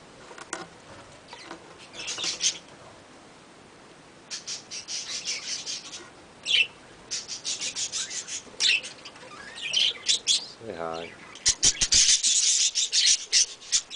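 Young budgerigars give bursts of high, raspy chirps and squeaky notes in irregular clusters.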